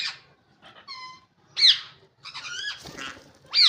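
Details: Ringneck parrots giving a mix of calls: a clear flat whistled note, then sharp loud screeches and rasping, descending squawks.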